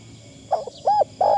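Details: Spotted dove used as a decoy bird, cooing in a fine, light phrasing style: three short, low, hollow coo notes within a second, the middle one swelling and fading, over a faint steady hum.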